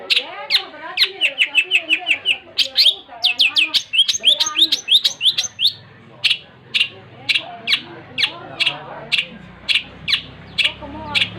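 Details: Long-tailed shrike in busy song, opening with fast chirped runs and sharp clicks, then slowing to evenly spaced high notes, with a faint low hum behind.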